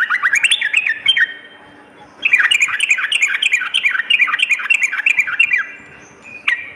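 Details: Sooty-headed bulbul at night, used to build fighting spirit in kept birds: two long bursts of rapid, bubbly, up-and-down warbled notes with crisp ticking, separated by a short pause.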